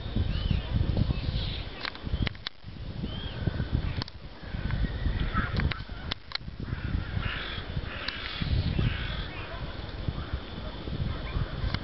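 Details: Six wild Alexandrine parakeets in Youth Park, Bucharest, Romania, on 1 February 2017, giving harsh, raspy, crow-like screeches in scattered bursts, several clustered near the end, over steady low rumble of wind and city noise.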